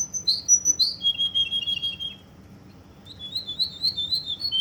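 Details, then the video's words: Kuwaiti Russian canary giving fluid whistled phrases and a buzzy trill, a silent gap, then a quick run of rising and falling warbled notes. "Russian canary"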